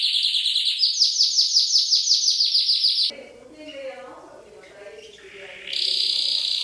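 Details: Canary tutoring song: a fast rhythmic pulsed trill for three seconds, then a quieter mixed, murmuring passage, then a loud bright rolling trill resumes.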